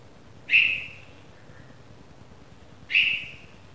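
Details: Red-vented bulbul chick just out of the nest, two loud brief rasping chirps about two and a half seconds apart, each fading quickly, against near silence.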